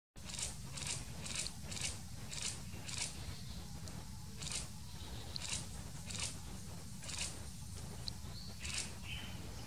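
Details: Buff-fronted foliage-gleaner (Dendroma rufa) near its nest hole in Cantareira State Park, São Paulo, Brazil, 29 September 2018, gives sharp, dry, scratchy call notes about twice a second in loose bursts, over a steady low rumble.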